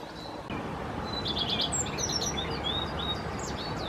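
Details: Common redstart (Phoenicurus phoenicurus) in May–June 2018, singing to defend its nest territory while feeding nestlings insects: a short, high phrase of thin whistled notes, then a quick jangling trill and scattered twittery notes; steady low background rumble.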